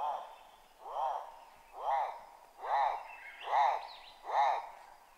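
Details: Schalow's turaco in a garden in Lilongwe, Malawi, gives a series of six gruff, arched croaking notes, about one every 0.8 seconds, with a faint higher bird note in the background.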